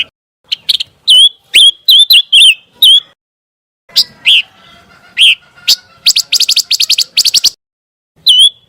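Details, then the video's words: Training sound for a contest white-rumped shama, from a scarlet minivet: a rapid series of sweet upslurred whistles, then scattered sharp notes, a fast even chattering burst and one final whistle. "PANCINGAN SUARA BURUNG PANCAWARNA"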